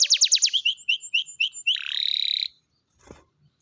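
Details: Canary singing to prompt silent canaries into song: quick high down-slurred notes, then a series of lower chirps and a sustained buzzy trill, ending in silence with a faint thump.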